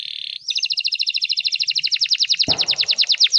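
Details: Canary singing as a learning model for young birds: a short buzzy trill leads into a long, very fast rolling trill of high pulsed notes, with a faint low thump partway through.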